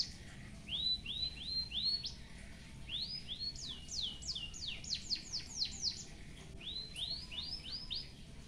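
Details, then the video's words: White-headed munia with canary-style fill-in phrases, recorded for song tutoring, delivering series of high, upswept whistled notes in quick runs of four to ten, with brief pauses between groups. "BURUNG EMPRIT HAJI FULL ISIAN KENARI BIKIN GOYANG GOYANG COCOK BUAT MASTERAN"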